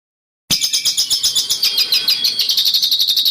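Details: After a short silence, a bird bursts into harsh, high masteran song, fast clipped notes racing in quick succession and smoothing into a steadier rattling trill toward the end.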